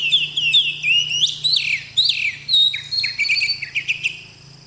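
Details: Oriental magpie-robin singing: a run of high whistled slurs and chattering notes, gradually fading, over a steady low hum.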